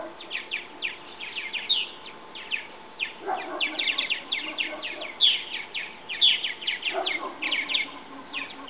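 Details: Young purple martins departing a bird house nest: a busy, steady stream of short downward chirps from several birds, punctuated by a few louder notes and lower murmured calls.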